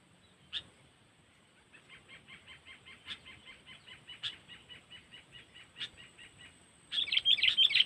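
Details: Trapping lure of the sooty-headed bulbul in cengkeram style, Lampung. Soft evenly spaced ticking notes repeat about three times a second with occasional sharper accents, then an abrupt loud chattering burst closes.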